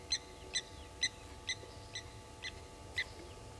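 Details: Blacksmith lapwings at a waterhole in Djuma Game Reserve, South Africa, driving off an African harrier hawk; evenly spaced hard metallic tink notes about two per second against quiet background.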